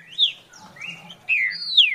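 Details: Green-winged saltator, farrapo song style: rich whistled notes, a rising-then-falling phrase, a mid-pitched slur, then two strong descending whistles close together.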